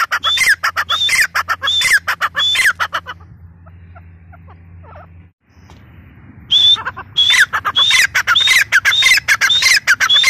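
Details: Loud rhythmic calling of a female teetar (grey francolin): shrill whistled and scratchy phrases repeated quickly, breaking off for about three seconds of near quiet with faint hum, then resuming just as strongly.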